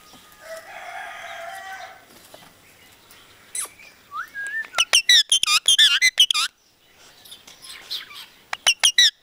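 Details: Talking parrot credited with Punjabi sentences; a soft noisy hum at first, then a short whistled upslur leading into fast, loud trains of harmonic chirped syllables, repeated in two clusters.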